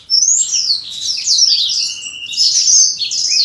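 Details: During pairing, a caged black-throated canary sings a sustained, high, jumbled twitter of thin whistles and chattering notes, briefly dropping lower mid-phrase before climbing back up.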